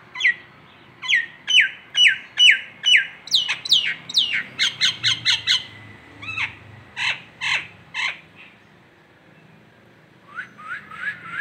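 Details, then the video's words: Nias hill myna of local Indonesian stock pours out a long series of sharp, downslurred whistles and harsh squawks, several per second, then pauses before a few further whistled notes. "masteran jalak Nias lokalan aja"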